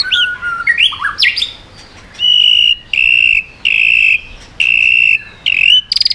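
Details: White-rumped shama singing to strongly provoke other birds, flicking its tail and switching voices in swiftlet-like style: quick varied slurred whistles, then five loud, steady, high whistled notes each about half a second long, ending in a brief rattle.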